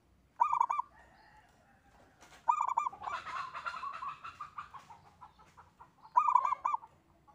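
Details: Single local zebra dove in active song: three short bursts of rapid cooing notes, with a stretch of broad, hissing noise and chatter between the second and third bursts.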